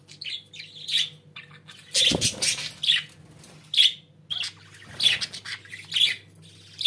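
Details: Pet budgerigars trading short bright chirps and scratchy squawks about once a second, with a brief flutter of wings and a low steady hum behind.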